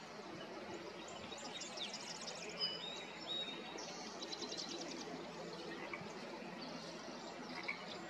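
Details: Marsh wren song at Flaming Geyser State Park, Washington State: a few high, rapid rattling trills and gurgles in quick succession, faint against a steady rushing background hiss.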